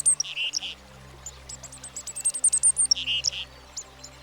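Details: Black-capped Chickadee, common in American backyards: a busy string of quick, very high thin notes mixed with short buzzy lower notes, repeated rapidly throughout, with quiet music in the background.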